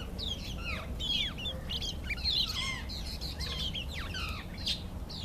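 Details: Karoo thrush (Turdus smithi), presumably male, sings to impress females: a rich run of clear, varied whistles with quick falling slurs, phrase after phrase without pause, over a steady low rumble.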